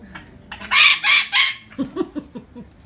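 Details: Female pet Timneh African grey parrot at home, playing and said to be in a bad mood: three loud, harsh, broadband squawks, then a quick run of short, lower, clipped notes.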